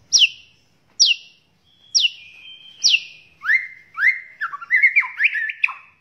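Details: Lively white-rumped shama singing a many-phrased tutor song for other birds: clear whistled notes sliding downward about once a second, then lower, mellower whistles building into a quick jumbled warble.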